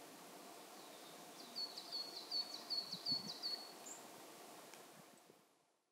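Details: Pallas's rosefinch at a feeder in Saitama Prefectural Forest, Japan, in March: one run of about six sharp, high chipping notes in quick succession, then a lone higher note before the sound fades out.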